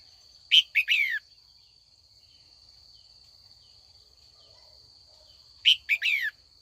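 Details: Female red-whiskered bulbul being trained, calling in the afternoon to provoke older wild-caught males into competitive singing: two bursts of short, bright, downward-slurred notes, about five seconds apart, over a steady high insect-like whine.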